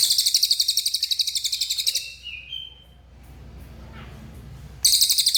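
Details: Singing cililin bird: a fast, high, buzzy pulsed trill ends, a short thin whistle follows, then a quiet stretch before the shrill trill resumes.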